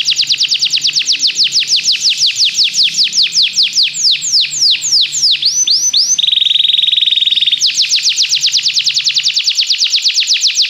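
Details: Singing Belgian canary, recorded for canary song training: quick sweeping notes, then a steady buzzy tone held about a second and a half, followed by a fast, even trill.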